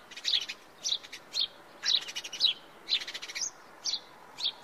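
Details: Singing house sparrow giving clipped, bright chirps roughly twice a second, some in quick pairs, over a soft background hiss with scattered clicks.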